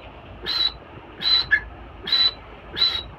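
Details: Four clipped, high-pitched notes from a female teetar francolin, a breeding bird, spaced at a steady pace of just under a second, with a faint low rumble behind.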